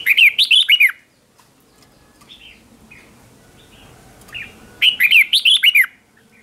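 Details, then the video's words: Red-whiskered bulbul decoy song, sung competition style to call other bulbuls. Two vigorous phrases of quick, looping, whistled notes, one at the start and one near five seconds, with soft isolated notes between them. "Tiếng chào mào mồi gọi là đến, Chào mào mồi gọi bổi không tạp âm"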